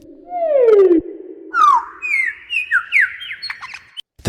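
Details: A male lyrebird, in winter and performing to attract a female, sings a rich run of mimicry: a low falling whistle, then sweeping rising and falling whistles climbing higher, ending in a sharp crack.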